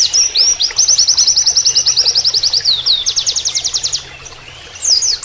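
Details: Tutor recording of an Oriental white-eye with a canary-like song: a sustained, very fast high trill for about three seconds, shifting into a coarser rapid stutter, then a pause and a brief twittered phrase, with a faint low water hum.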